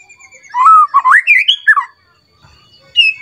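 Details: White-rumped shama in an agitated state, singing at a rival with a varied repertoire. One rich phrase of slurred whistles rises and then drops, a quiet spell follows, and a single high whistle closes the clip.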